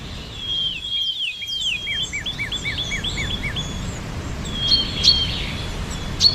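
A bird sings a high series of quick, repeated chirping notes, with clear whistled notes at the start and end, over a steady low rural hum.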